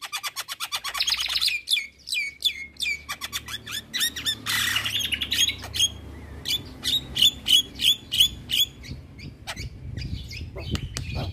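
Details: Asian pied starling, a lively singer, in a varied burst of harsh squawks, rattling notes and sharp clicks, with a dense noisy chatter midway, then rapid repeated metallic chirps; low background rumble throughout.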